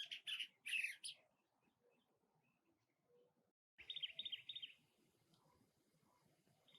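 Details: Cactus wren at its nest: two short harsh bursts, a quiet gap, then a single fast rasping chatter of closely packed notes lasting about a second, over a faint background murmur.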